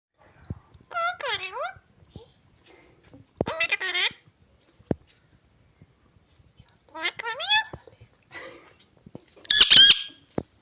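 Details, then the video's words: Pet talking parrot kept by a family, imitating speech: four short bursts of harmonic, wavering, voice-like syllables spaced a few seconds apart, the final burst loudest and harshest, with faint clicks and knocks between phrases. "parrot Talking, Bata krny Wala tota"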